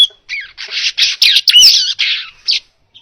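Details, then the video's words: Baya weaver recorded to train other birds: a rapid series of short harsh buzzy chatters with a few thin whistles, about four bursts a second, then a faint final note. "Masteran Suara Burung Manyar Gacor Jernih Cocok Untuk Masteran"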